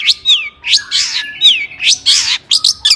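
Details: Agitated song of a caged long-tailed shrike (cendet), used as a provocation for other shrikes. Downslurred whistles alternate with broad harsh rasping squawks, ending in quick sharp chips.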